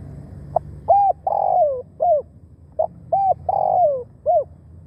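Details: A decoy spotted dove calls to draw in wild birds. It gives two phrases, each a brief note, paired hooked coos and a drawn-out falling croo ending in a short coo, all low and mellow.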